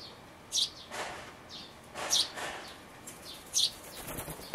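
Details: Young sparrows nearly ready to fledge calling from a birdhouse, 12 May 2012, camcorder recording: sharp high squeaky chirps at irregular intervals, with softer broadband rustling between them and constant low hiss.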